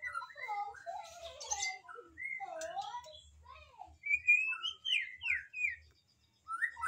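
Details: Magpie-robin (murai) singing a varied run of clear whistled phrases, some sliding up and down, some short and rising, in bursts with brief pauses and a faint low hum underneath.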